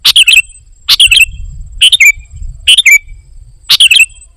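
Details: Gacor isian song of kutilang emas (ruby-throated bulbul): five rapid bursts of bright chirps and falling whistles, nearly one each second, over a soft low rumble.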